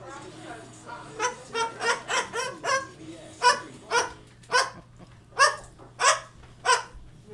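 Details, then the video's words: Baby cockatoo perched on a manzanita tree making a barking sound: short harsh bark-like calls repeated about once every half second, with a faint low hum in the background. "Barking Parrot"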